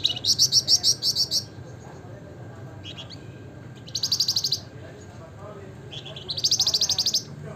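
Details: Wergan jawa, the Javan fulvetta, in full gacor song in the nembak ngebren nyiul style, giving fast high chattering trills in one-second bursts with brief softer notes between them and a steady low background hum.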